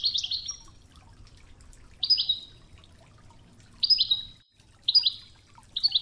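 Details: European goldfinch of the Oued (wadi) training-song style, recorded with flowing river water; short buzzy twittering phrases around a high pitch, repeated every one to two seconds, over a low steady water murmur.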